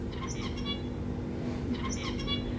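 Zebra finch song: two short bursts of nasal, buzzy, harmonic-rich syllables about a second apart, over a steady low room hum.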